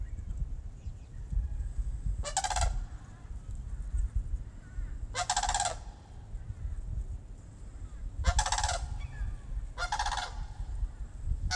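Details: Two sandhill cranes visiting Moosewood give four loud rolling, rattling calls spaced a few seconds apart, rich in overtones, over a steady low rumble of background noise.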